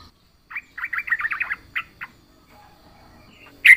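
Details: Singing yellow-vented bulbul, gacor full isian: a fluttering chain of quick mellow notes, two separate chirps after it, then a single loud sharp note at the end.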